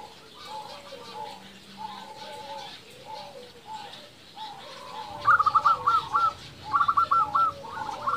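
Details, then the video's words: A local zebra dove's song used to draw rival doves into answering: soft, low coos under steady background hiss, then two bursts of quick, bright, stuttering notes in the final three seconds. "Perkutut lokal gacor paling ampuh untuk pancingan belum satu menit bikin lawan sudah pada nyaut"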